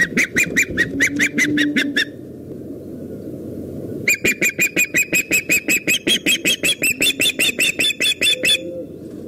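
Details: Female osprey at a Dyfi valley nest in Wales, her tone shifting briefly before returning to normal. Bursts of fast, sharp, piercing whistled notes, a short pause, then a long even run of about twenty-five notes, with low hum beneath.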